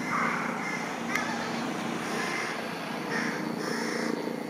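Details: Carrion crows (Corvus corone), a parent searching plastic bags in a river with a hungry begging fledgling, Japan, mid-June 2016: harsh, nasal drawn-out caws spaced a second or so apart over steady rushing background noise.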